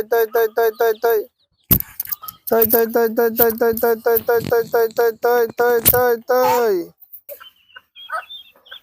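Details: Farm ducks, a group of 12 Chinese and 19 silver ducks growing up and drinking water, give nasal, buzzy quacks in fast runs of about two per second, ending in a longer drawn-out quack; faint voices and rustling follow.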